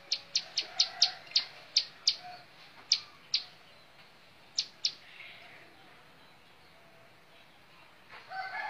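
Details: Bar-winged prinia giving the bouncing montal mantul song: a quick run of high, dry chip notes that slows and spreads out, then fades into quiet background with a faint rustle at the end.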